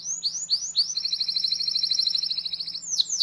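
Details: Training song for young canaries: a few upward-sweeping chirps lead into a long, fast, even trill held for about two seconds, closing with sharp descending notes; steady low hum in the background.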